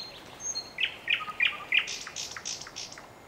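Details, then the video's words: Nightingale singing: a run of short, bright chirped notes, several sharp upslurred whistles followed by higher buzzy trilled phrases, over soft background noise. "Незабываемое Пение соловья / Chill out Nightingale Singing"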